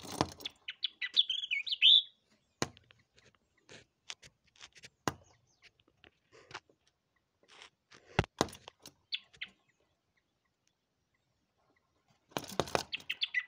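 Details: A pair of yellow-eyed babblers (Chrysomma sinense) at a window, playing with their own reflections, give bursts of high, twittering chirps with sharp scattered taps and knocks in between.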